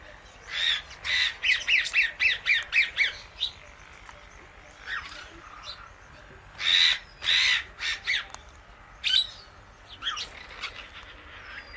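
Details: Pet Indian ringneck parakeet sharing guava seeds with an alexandrine parrot; a quick run of harsh, buzzy squawks, then a louder pair of rasping calls, a single sharp note and softer scratchy bursts.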